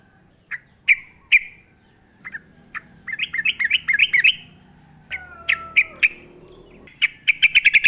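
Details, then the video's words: Yellow-vented bulbul in active song with sounds of nature: spaced sharp chips building into a bubbly tumbling phrase, a low falling whistle, and a closing burst of fast repeated notes. "trucukan gacor ngalas full suara alam"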